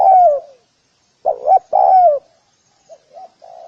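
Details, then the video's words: Spotted dove calling to lure other doves: low cooing phrases, two short coos then a longer falling coo, with softer coos trailing at the end. "Tiếng cu gáy gù kích bổi nhanh nổi _Tiếng chim cu gáy"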